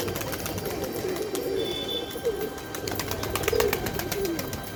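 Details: Pigeon cooing as a string of short, deep, throaty hoots, several in under five seconds, against a busy backdrop of clicks and taps and a faint high tone near the start.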